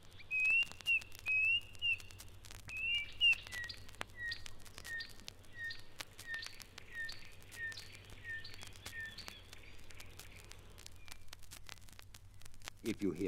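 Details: Klaas's cuckoo in East Africa gives high, plaintive whistled couplets, then a run of evenly spaced, lower down-slurred whistles; a chin-spot puffback flycatcher calls in the background, with crackling noise throughout.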